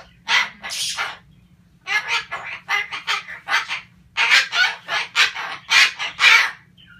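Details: Pet sulphur-crested cockatoo, a male, ranting: a run of about a dozen loud, harsh, raspy screeches in quick bursts with short gaps, some doubled, continuing through the whole stretch with a faint low hum underneath.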